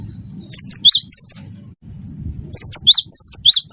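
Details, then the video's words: Gelatik batu (Cinereous Tit) of the wingko type, singing lively as a tutor recording: two bursts of repeated two-note phrases, each a high wavy whistle followed by a lower sliding one, over a steady low hum. "gelatik batu wingko gacor"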